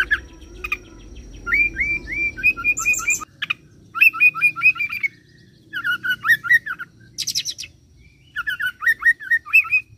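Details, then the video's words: Oriental magpie-robin (kacer) roll song imitating cililin and serindit, bursts of fast repeated hooked whistles alternating with high thin buzzy notes, several separate phrases with short pauses. "KACER ROLL CILILIN SAMBUNG SERINDIT"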